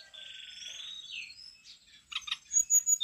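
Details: A brown-chested jungle flycatcher in full song sings a high, sweet warble with a long trilled phrase and a slurred downward note, then a few louder sharp chips.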